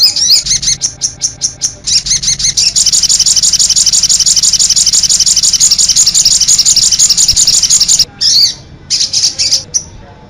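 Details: Sogon bird 'cit anten' song: spaced high chirps build into a long, dense, rapid run of shrill notes, then break off into a few separate squeaky calls.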